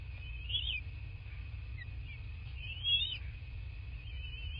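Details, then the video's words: Bald eagles at their nest in a quiet landscape in southwest Florida, from a nest camera on 7 March 2024 at 14:15. Thin, high squealing notes that rise and fall come in short bursts over a steady low rumble and a constant faint high tone. "Bald Eagles"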